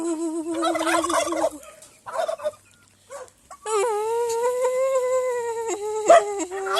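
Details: In Aratoca, Colombia, several domestic turkeys answer their owner. First a wavering mid-pitched note sounds, then scattered short calls, then a sustained, slightly rising nasal tone lasting about three seconds.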